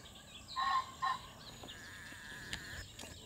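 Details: European bee-eater (Merops apiaster) at Izliv Soče nature reserve, Slovenia, on 1 June 2023, gives two short, burry, rolling calls in quick succession, then falls quiet against a soft background hiss with a few faint clicks.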